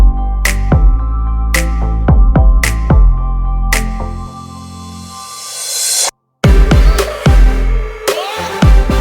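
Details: Electronic music with loud struck beats and sustained bass tones, cut by a brief silence near the middle, and no animal voice is heard.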